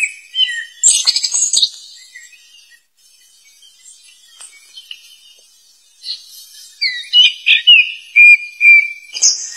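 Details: Wild black flycatcher calling loudly to attract opponents: sweet whistled phrases that slur up and down, in two bursts separated by a quiet gap, with thin high chirps and ticks above.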